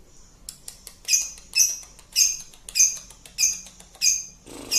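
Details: Lovebird singing in the ngekek manner as a lure: a steady series of harsh, high squeaky bursts roughly every half second, interspersed with sharp ticks.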